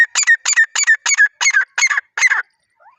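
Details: Wild teetar, or partridge, in natural jungle surroundings: seven harsh, grating double notes in quick succession across two and a half seconds, followed by a brief soft trailing sound.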